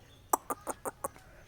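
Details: Indian ringneck parakeet talking, uttering five quick, evenly spaced clipped syllables in a row, with low background hum.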